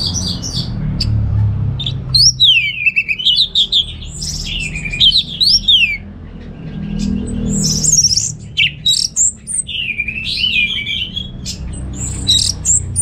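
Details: Caged orange-headed thrush from Singaraja, North Bali, in a varied song used as a lure and tutor recording: long runs of rich rising and falling whistled notes mixed with scratchy chirps, broken by short silences, over a steady low hum.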